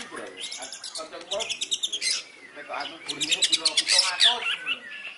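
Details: White-rumped shama song mimicking fighting sparrows, a dense run of rapid, scratchy chirps and chatter sustained throughout, with a few lower clipped notes mixed in.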